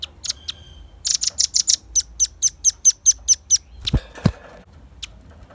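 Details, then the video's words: Velvet-fronted nuthatch singing, used as a lure and tutor recording: a fast run of about a dozen sharp, high, evenly spaced chipping notes, preceded by a few scattered chips and followed by two loud knocking thumps. "Suara kicau pancingan burung rambatan paruh merah gacor"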